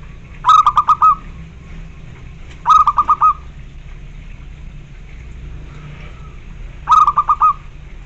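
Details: Zebra dove singing, a kept bird: three phrases of fast rolling coos, each a stuttered run of notes closing on a drawn-out tone, spaced about two to four seconds apart, with steady low hum behind.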